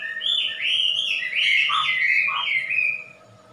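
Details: Wambi, a loud favorite among Indonesian songbird keepers, pouring out a continuous warbled stream of rich whistled notes with quick dips, fading toward the end; faint mains hum in the background.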